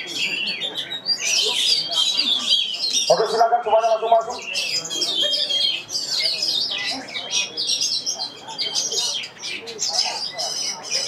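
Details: Oriental magpie-robin singing at the Piala Candi Prambanan bird-song contest in Indonesia: dense, rapid high chattering and warbled phrases with fast trills, a brief burst of lower harmonic notes near the middle, crowd voices murmuring behind.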